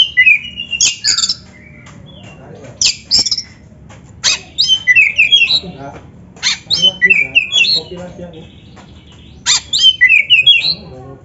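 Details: Oriental magpie-robin (kacer) in gacor song used to train and stimulate other kacer: short explosive phrases of sharp whistles and jumbled twittering, each lasting about a second, separated by brief pauses throughout.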